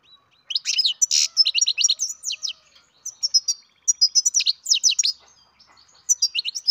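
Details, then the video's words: Loud, lively twittering from a captive-bred young European goldfinch, rapid runs of sharp high chirps and tinkling notes pouring out almost continuously. "Καρδερίνα εκτροφής μωρό (Goldfinch carduelis baby"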